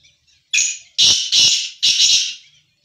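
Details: A black francolin (Francolinus francolinus) gives one harsh, grating call phrase of four loud, rasping notes over about two seconds, the last two longer and scratchier, with no other sounds.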